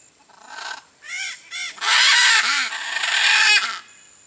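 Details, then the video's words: Wild blue-and-yellow macaw hidden among Cerrado tree foliage in Brazil: a run of hoarse, grating squawks, short ones first, then a long, loud, rasping call of nearly two seconds. "Arara-canindé Camuflada na Árvore do Cerrado - (Ara ararauna) Blue-and-yellow Macaw"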